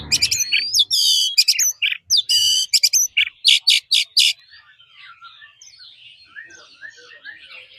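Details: Oriental magpie-robin forest-style song for daily training: harsh, buzzy bursts and whistled slurs for about four seconds, then only faint, distant twittering.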